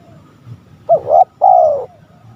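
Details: Spotted dove call for provoking rivals: a rising two-part coo followed by a longer smooth, slowly falling coo, one short phrase over light low rumble.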